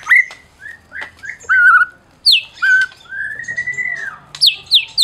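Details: Medan-type white-rumped shama, a champion songbird played to make silent shamas sing. Separate whistled notes, a long level whistle, and sharp downward-sweeping high calls near the end.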